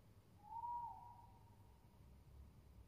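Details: A single tawny owl hoot, recorded 22.07.20, swells quickly to a peak, dips, then trails off in a long, thin, fading tone against low-frequency background noise.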